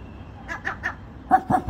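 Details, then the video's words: A gull barks like a dog, giving two quick runs of three short, hoarse, barking notes, each run lasting about half a second, with faint background noise. "Seagull barks like a Dog"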